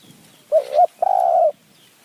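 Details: Low two-note coo from a spotted dove decoy luring wild doves in high mountain forest, Kanchanaburi, Thailand; a quick wavering first note, a brief pause, then a longer steady hollow note.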